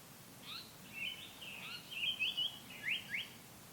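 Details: Japanese paradise flycatcher singing: soft, faint opening notes, then a quick run of about five sharp, downward-sliding whistles bunched into pairs near the end, over a quiet, steady outdoor hiss.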